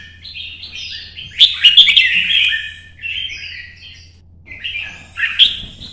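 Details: A red-whiskered bulbul sings solo in the morning sun, competition singing while moving along its perches: loud mellow whistled phrases with sharp emphatic notes, then a quieter gap and a renewed phrase.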